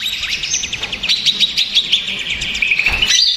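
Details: Greater green leafbird, agitated and used as a lure for males, pours out a fast jumble of high chirps and short sliding notes, busy and continuous, ending in a rising trill.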